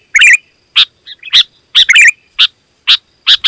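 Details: Sooty-headed bulbul in full, dense, loud song, used as a lure for wild birds: short bright chirpy bursts, some bubbling, repeated about every half second over a quiet background.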